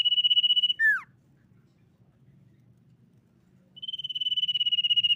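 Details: Common iora lure song meant to prompt other ioras to sing: a sustained, fast-pulsed high trill that drops into a quick downward slurred note, a pause of nearly three seconds, then the steady trill resumes.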